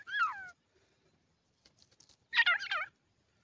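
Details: Grey francolin chicks calling: a falling, slurred two-toned note, then after a pause a harsh, chattering burst of jumbled buzzy notes lasting about half a second.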